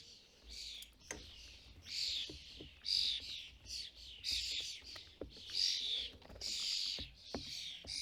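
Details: UK starling fledglings and parents at a custom-built feeder; insistent grating squawks repeat in uneven bursts of about a second, loud and harsh, with faint clicks between them.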